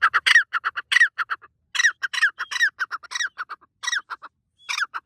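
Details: A willow ptarmigan gives loud, harsh, rattling calls in a morning forest at sunrise: quick runs of clipped notes broken by longer downslurred croaks, repeated over five seconds with no other sounds.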